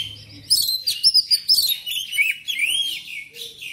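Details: Singing black magpie-robin, as used to excite pet birds into song; loud, rapid whistled phrases with clicks and rising and falling slurred notes, tightly packed and bright.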